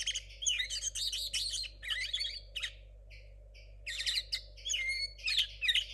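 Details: Still-learning linnet hybrid, a young bird from 2022, sings jumbled high twittering phrases, then a quiet gap with a few soft paired notes, then more rapid chirps and a slurred whistle. A low hum runs throughout.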